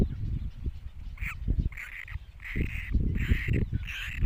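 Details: Chicks of the great cormorant give about five hoarse, buzzy calls in quick succession after a short pause, with loud low-pitched rumble and knocking underneath.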